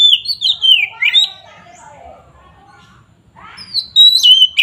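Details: Kacer, the oriental magpie-robin, singing to provoke rival birds: tumbling whistled phrases and a falling slur, a soft murmuring interlude, then sharp high whistles returning.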